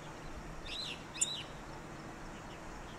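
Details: Yellow bunting in Pingtung County, Taiwan, on 16 November 2019, giving two sharp, high, downslurred call notes about half a second apart over a steady hiss of background noise.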